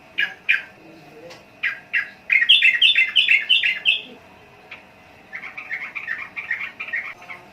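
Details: Sooty-headed bulbul: a few spaced sharp notes build into a fast, loud, rippling warble, then after a pause a softer run of quick chattering phrases follows.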